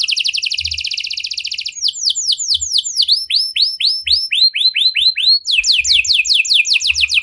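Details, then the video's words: Canary with a luxurious varied song style, called cengkok mewah, meant to prompt other canaries to sing. It gives a fast high trill, then repeated downward-sweeping whistled notes at about three per second, and ends with rapid sweeping notes. "Burung Kenari Mana Saja Pasti Ikut Gacor Setelah Dengar Kenari Cengkok Mewah Ini"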